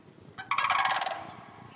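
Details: In a hayfield north of the Twin Cities, a sandhill crane lets out a brief, loud, trilled croak made of fast rasping pulses, starting abruptly and fading within a second, with faint low rumble behind.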